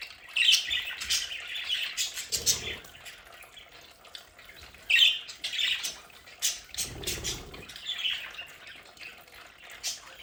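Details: Several pet budgerigars chatter at home, with sharp squawks and fast scratchy warbles in bursts. Two low rumbling thuds stand out between the calls.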